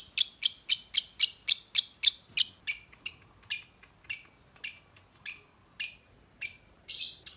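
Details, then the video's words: Lovebird giving its ngetik, or typing, call, used to lure other lovebirds into calling and breeding condition: sharp, high clicking chips, quick and even at first, then spacing out and slowing, over a clean, quiet background. "Lovebird Suara Ngetik"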